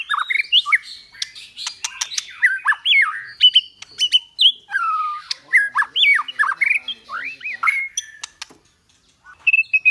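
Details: White-rumped shama song, in the 'kéo thuốc lào' (water-pipe pulling) and 'giọng dây' (string voice) styles, used for training caged shamas: rapid, varied phrases of slurred rising and falling whistles mixed with sharp clicks and chatters, nearly continuous, with a brief pause near the end.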